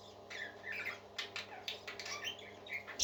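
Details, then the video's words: Singing parakeets, several birds, keep up continuous scratchy chatter and short whistled chirps, ending in a sudden loud squawk. "Happy Parakeets Singing"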